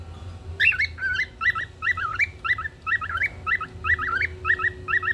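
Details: A pet cockatiel in front of a window sings melodiously, a string of short, warbling whistles and chirps, repeated about twice a second.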